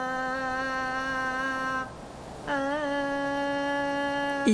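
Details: A steady, low humming or droning tone holds, breaks off for a moment, then resumes with a slight wobble, with no animal voice heard.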